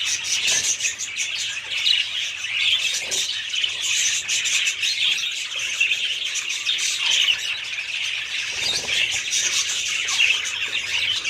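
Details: Budgerigars keeping up a long, busy chatter of overlapping high chirps, twitters and squawks, fairly constant in level, with a few soft clicks or knocks along the way.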